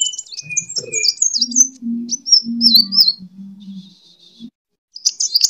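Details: Sunbird kolibri tarung fighting song used as a training lure: scattered high squeaky notes and thin warbled phrases, loosely spaced, with a brief gap before a final sharp twitter and a low hum underneath.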